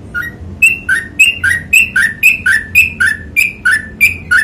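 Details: Trucukan or sooty-headed bulbul in long song, giving evenly spaced pairs of short whistled notes, a lower note dipping then a higher clear one, about three pairs per second against a faint low hum.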